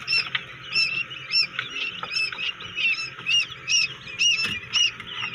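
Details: Quail chicks hatching inside a homemade incubator: clear high, arched peeps repeated irregularly, with fainter chirping from other chicks beneath.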